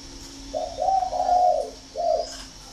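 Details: Spotted dove calling with a loud, clear voice: a series of soft low coos run together, a brief pause, then one final short coo, over a quiet constant hum.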